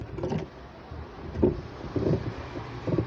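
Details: Low rumbling vehicle noise with a few short knocks and rattles, and no animal voice heard.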